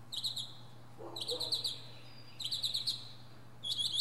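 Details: A northern mockingbird singing atop a pine tree repeats a buzzy high rattling phrase about once a second, with a brief lower note between, over a faint steady hum.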